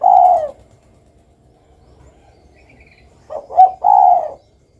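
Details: Spotted dove: one long husky coo, a pause with faint background sounds, then a short stuttered double coo leading into another drawn-out low coo.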